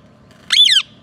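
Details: Green ringneck parrot giving a single loud, harsh squawk lasting about a third of a second, a rising-then-falling screech with rich ringing overtones, over a quiet low background hum.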